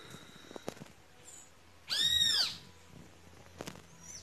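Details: Great kiskadee producing one loud, harsh, half-second call over a steady low hum and scattered faint clicks and rustles.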